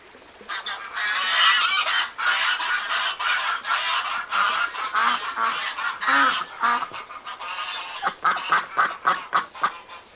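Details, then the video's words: A crowd of ducks on a lagoon calling all at once, a dense, loud clamour of overlapping nasal quacks that breaks into quicker separate bursts toward the end. "Som de Pato - Patinhos na Lagoa - Duck Sound"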